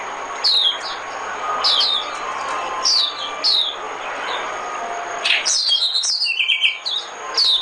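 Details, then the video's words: Oriental white-eye decoy song with widely spaced bursts of high, falling chips, then a busier rush of twittering and warbled notes near the end, over low background hum. "Tiếng chim mồi - Tiếng chim khuyên mồi hay nhất 2017"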